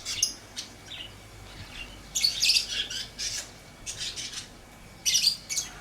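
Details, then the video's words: Lovebird giving scattered harsh, high squawky chirps in short clusters separated by pauses, the loudest burst around the middle and another near the end, in a quiet room. "Lovebird Chirping Sounds"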